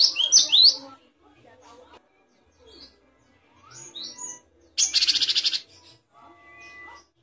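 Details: Great tit tutor recording for songbirds: loud high slurred whistles, softer scattered notes, then a harsh pulsed buzzy churr with about eight rapid beats.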